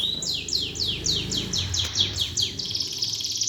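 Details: Greater green leafbird fighting song of the gereja type, played to provoke competition birds. Steady rapid series of sharply descending high notes, about three per second, over a low watery background murmur.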